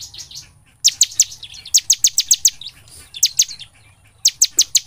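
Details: Ciblek (bar-winged prinia) lure song in gacor nembak style: soft twittering, then loud bursts of four to six rapid, piercing high notes repeated with short gaps.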